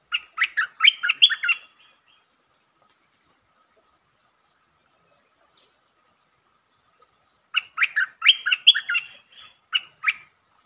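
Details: Streak-eared bulbul singing, recorded 13 February 2023, in a varied singing style with long and doubled phrases. Two bursts of quick, bubbly, chattering notes about two seconds long, separated by roughly six seconds of silence.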